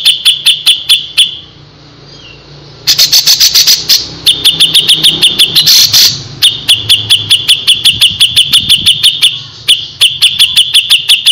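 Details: Grey-cheeked bulbul in full gacor song, a tutor recording: bursts of sharp, high clicking notes repeated rapidly over a steady high tone, pausing briefly near two and ten seconds, with a faint low hum beneath.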